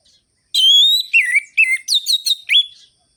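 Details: Orange-headed thrush in full, lively song with a sharp, rhythmic rolling-and-ringing style, used to rouse sluggish birds of its kind into singing; a long rising whistle followed by six quick buzzy, descending and warbled phrases.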